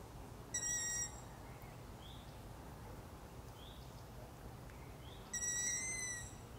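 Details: Young long-eared owls at night giving thin, squeaky, drawn-out whistles. Two louder calls come about five seconds apart, with fainter short squeaks from other owlets in between, over steady background hiss.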